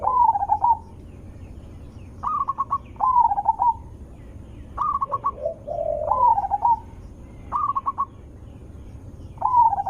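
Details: Zebra dove lure song, loud and sweet, meant to make other zebra doves answer: repeated runs of clipped staccato notes and quavering trilled coos, about every one to two seconds, with a lower second dove cooing in the middle.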